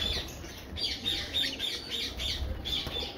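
Fischer's lovebird giving shrill, squeaky chirps in quick, uneven bursts, several each second, over a low background rumble.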